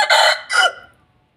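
An Aseel rooster gives a short, hoarse crow: two harsh, strained bursts in quick succession, the second trailing off, with nothing else heard.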